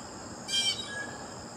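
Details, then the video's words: One short, harsh Blue jay scream, rasping and noisy, standing out against a steady background of high insect buzzing. "Blue Jay Birds Sounds"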